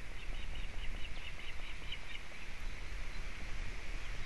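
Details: Osprey in Latvia on 4 July 2017, at the nest holding a wet fish: a quick string of about ten clipped, whistled chirps in the first second and a half, then fainter notes against constant noise.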